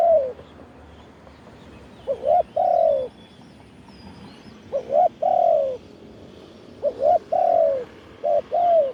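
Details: Spotted dove cooing in the throwing-crow style, recorded live to call in wild doves: low hollow coo phrases of a short double note and a longer drawn coo, repeated every few seconds over faint outdoor background.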